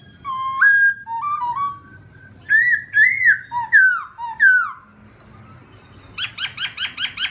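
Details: Laughingthrush singing to provoke a newly caught bird, with rich whistled slurs in uneven phrases, bright rising-falling notes in mid-clip, then a quick series of short repeated chirps at the end.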